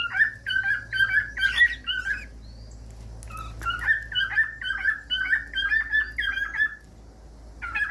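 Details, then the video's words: Warbled cockatiel song used to get a cockatiel singing: rapid choppy whistled notes in two runs with a brief quiet gap, over a steady low background hum. "CANTOS DE CALOPSITA"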